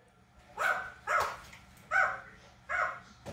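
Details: A 47-year-old pet red-lored amazon, urged by its owners to give its "speech", screeches four harsh, nasal, bark-like squawks, each short and about two-thirds of a second apart, over a faint low hum.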